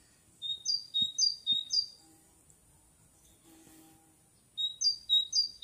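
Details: A bird sings in May 2021, repeating a high, clear two-part phrase, low note then higher note, four times rapidly. After a pause of about two seconds it gives three more, with faint knocks in the background.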